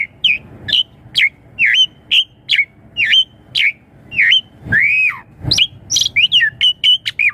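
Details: Asian pied starling giving a long series of evenly spaced curling whistled notes, then a loud arched slur and rapid varied chips, sung to draw young starlings into replying.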